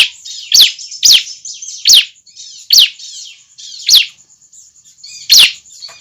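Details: Juvenile bar-winged prinia calling, used to lure other prinias: six loud, sharp chirps sweeping steeply downward, spaced irregularly about a second apart, with soft twittering chatter between them and a steady high thin whine throughout.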